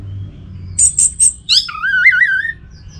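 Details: Orange-headed thrush at home in North Bali: three quick high piping notes, then a descending slur into a long, wavering mid-pitched whistle.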